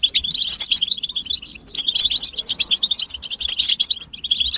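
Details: European goldfinches twittering as a group, in calls given as mating and readiness calls to stir males into song: bursts of bright, high, jangling chirps separated by short gaps.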